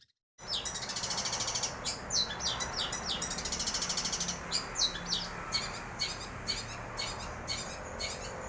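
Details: Full-power long-tailed shrike song: a continuous, scratchy, high trill, then a run of sharp, downslurred chirps repeated several times a second, over a steady hiss of background noise.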